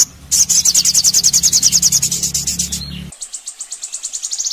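A sogon sings fast, high, buzzy trills of evenly repeated notes, about five per second, breaking briefly before a second trill; a low hum sits underneath.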